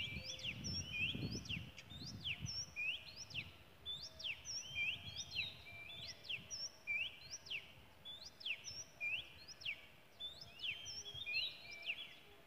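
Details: Singing in the wild in Malaysia, an Oriental magpie-robin repeats a crisp whistled phrase of upslurs, downward sweeps and high piping notes throughout, with low rumble early on.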